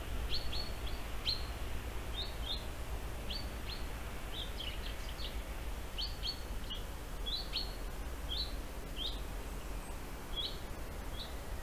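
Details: European honey buzzard giving a series of short, high, clipped call notes, repeated irregularly roughly every half second to second over steady low rumbling background noise.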